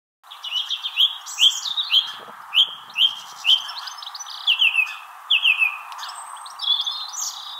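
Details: Song thrush singing in a tree in Wrestlingworth, Bedfordshire, UK, in April 2021, competing with another nearby thrush; recorded on camera microphones. Bright whistled notes repeated in quick series, each phrase given several times, over a steady background hum.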